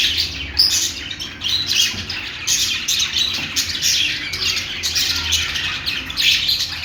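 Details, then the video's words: Singing budgerigars pour out a nonstop mix of rasping chirps, thin whistles and squawks, several voices overlapping in choppy bursts, a soft low hum beneath. "love birds singing | budgie singing |Australian parrot singing | parakeet chirping sounds"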